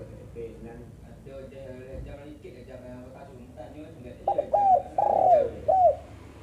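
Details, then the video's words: Female spotted dove calling. After a few seconds of murmur and faint voices, one loud phrase of soft coos comes in: a short note, a drawn-out falling coo, then a short ending note. "burung tekukur betina"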